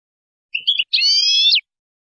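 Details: Spanish-style European goldfinch song from a tutoring tape for young birds: a few short twittered notes, a brief pause, then a long, level, nasal buzzing note that ends in a quick downward slur; no other sounds.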